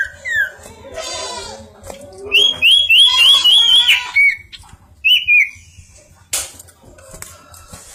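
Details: Bar-winged prinia singing actively, giving high whistled notes, a run of six quick rising-and-falling whistles, then a short slurred phrase, with scattered clicks and faint background chatter.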